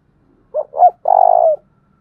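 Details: Spotted dove lure call in the 'thúc bổi' style, described as a 'thổ đồng' voice, used to attract wild doves: two short rising notes, then one long, steady, throaty coo with a soft pulse. Quiet background.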